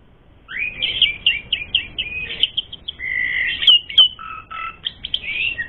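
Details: Captive Asian pied starling singing a training song meant to provoke rivals into fighting: rapid chattering phrases, buzzy rising notes and lower whistles run together after a brief quiet start.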